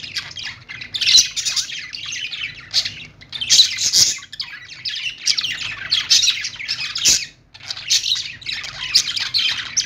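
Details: Morning budgerigar chatter, apparently from more than one bird: continuous scratchy warbling and quick chirps in waves every couple of seconds, with a few sharp clicks between bursts.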